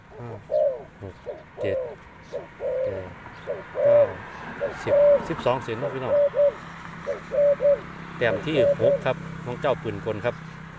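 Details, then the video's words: Spotted dove used as a decoy bird after a storm, its style called 'machine gun': a series of short, low, hollow coo notes in quick uneven bursts, overlapped by a man talking nearby. "ต่อนกเขาใหญ่ครับ เจ้าปืนกลจัดคือเก่า"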